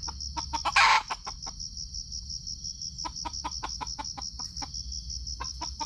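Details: Sumatran red junglefowl recorded by GoPro while being lured for trapping: an early loud rasping burst, then quiet, then runs of quick dry clucks, with an unbroken insect trill throughout.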